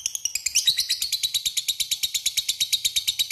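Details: Long ngekek chattering of a lovebird, meant to draw in a rival bird: fast, evenly paced harsh chips in a continuous high rattle, briefly brighter and whistlier near the start.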